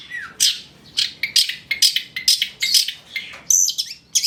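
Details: Long-tailed shrike (cendet trotol) song used as a tutor and lure to get shrikes singing: a string of sharp, harsh, high notes mixed with brief whistles, delivered in jerky bursts roughly every half second.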